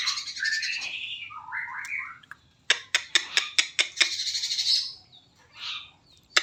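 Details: Sooty-headed bulbul (cucak cungkok) song used as training material for other songbirds: bubbly warbled notes, then a quick series of sharp clicks and a burst of high chattering.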